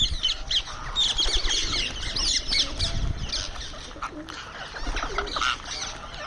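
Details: Indian ringneck parrot making sounds while eating, kept on a terrace: a series of short, scratchy, high chattering notes in quick irregular succession, with low rumbling background noise and soft wing or movement sounds.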